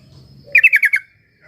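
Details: Sooty-headed bulbul, used as a lure to prompt a quiet bird to sing: one quick burst of five sharp, bright notes near the same pitch, packed into half a second, after a soft low murmur.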